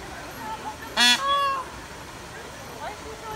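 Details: Female Indian peafowl, heard once: a brief, strident, harmonic honk followed by a fainter, steady, trailing tone. Soft, indistinct background sounds come before and after it.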